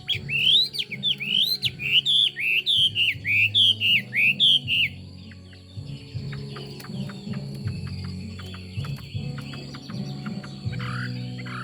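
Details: Chinese hwamei pouring out rich, rapid looping whistles for about five seconds, then going quieter with faint scattered notes and a final rising phrase, over a steady low hum.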